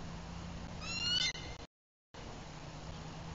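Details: A bald eagle at a Bluff City, Tennessee nest reacts to an intruder in the pair's territory during a mountain sunset: one quick series of high, thin, squealing notes over a constant low hum, then quiet.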